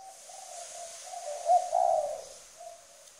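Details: Spotted dove decoy bird from Trà Vinh, Vietnam, in strong cooing: soft low coos build to a louder, rich burst in the middle, then fade back to a gentle coo.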